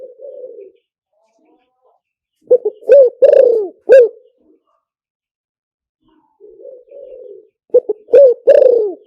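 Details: Spotted dove call used for luring, played over a speaker. Two matching phrases about five seconds apart, each a soft purring lead-in followed by several loud, abrupt, low coos in quick succession, with silence between phrases.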